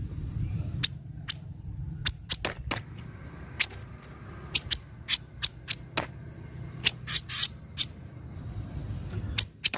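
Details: Javan kingfisher calls used as a lure to make reluctant birds call: sharp, high, clipped chips given singly or in quick pairs, irregularly spaced, over a low background rumble.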